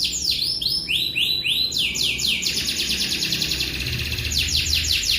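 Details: Canary delivering a long rolling song: rapid series of downward-sweeping high notes, first spaced slowly, then speeding into a fast continuous trill, then slowing into repeated sweeps, with loud steady background noise.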